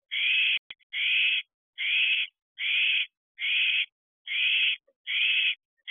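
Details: Excited owlet at an owl box at 11:15 pm on 11 July 2023, in its fourteenth week, when owlets begin dispersing to find their own territory. Harsh, broadband hissing screeches, about eight even bursts in six seconds, one roughly every 0.7 seconds.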